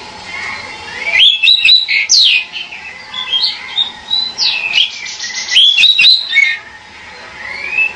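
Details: Pied bushchat (burung decu) calling with bright, clear whistled chirps and quick rising and falling notes in short twittering phrases, a brief pause midway, then more chirps ending with an upslurred whistle over a faint steady hum.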